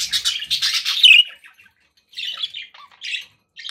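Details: Kept budgies give a loud burst of scratchy warbling that fades into a few separate chirps and short twitters with quiet gaps between.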